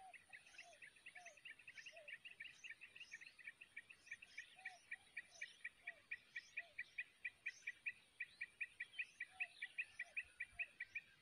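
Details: Wild Yellow-vented Bulbul chicks in the nest, recently hatched, being fed by a parent: rapid, steady run of sharp high chirps, roughly two or three per second, with occasional short lower notes and faint background twittering.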